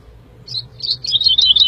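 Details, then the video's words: Woodlark (Lullula arborea) sings a quick run of clear, liquid notes, repeated rapidly and sliding slightly lower in pitch toward the end. "The song of the Woodlark"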